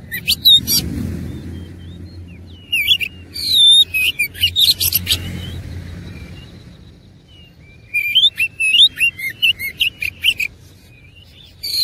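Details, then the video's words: Oriental magpie-robin in fighting mode, sung with rich varied content; bursts of sharp whistles, rising slurred notes and rapid chattering phrases, with a quiet pause in the middle before another busy stretch of notes. "KACER ISIAN MEWAH NGOTOT GACOR TARUNG"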